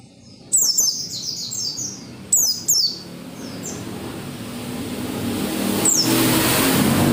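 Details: Oriental white-eye singing vigorously to get other white-eyes singing: two bursts of quick, high downslurred whistles, then rising broadband rushing noise and a single late note.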